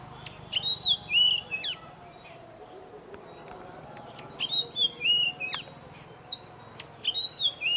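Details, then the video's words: Oriental magpie-robin giving bright, varied whistled phrases with sliding notes, in bursts about every four seconds over a faint background hum. "The Oriental magpie robin"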